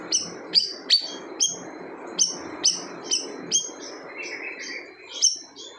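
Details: Siri-siri bird pouring out a loud song said to leave other birds silent: bright, high down-slurred whistles repeated in quick succession, then softer fluttering notes and a final strong note, with faint hiss behind.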